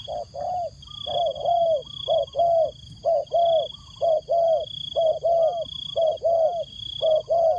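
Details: Decoy spotted dove calling to wild doves, giving a long run of hollow paired coos, each a brief note followed by a drawn-out one, steadily repeated, against a thin continuous electronic tone.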